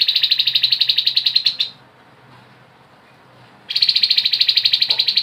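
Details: Grey-headed babbler rattling in ngebren style. Long buzzy trills of fast, regular pulses are broken by a two-second silence before the rattle resumes just as strongly.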